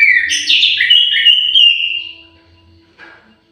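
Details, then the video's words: Orange-headed thrush in an aviary delivering a loud, varied whistled phrase with quick warbled notes that slides into a long fading whistle, followed by a brief soft rustle. "KICAU MERDU BURUNG ANIS MERAH"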